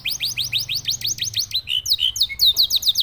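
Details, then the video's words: Domestic canary delivering a fast run of repeated rising chirps, roughly eight per second, shifting into a few longer whistled slurs and sharp descending notes. "CANARY SINGING 20 | Canario similar al pájaro cantor del país de senegal"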